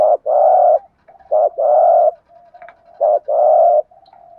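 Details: Cooing from a male and female spotted dove, used to rouse a trained bird: three phrases, each a brief coo then a sustained hollow one, soft low hum lingering between them.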